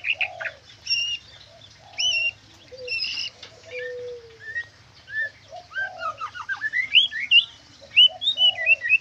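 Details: White-rumped shama delivering trotol and kriwikan song: short mellow whistles and one drawn-out low note early on, then faster runs of sweeping, twittering notes that climb and tumble, growing busier toward the end.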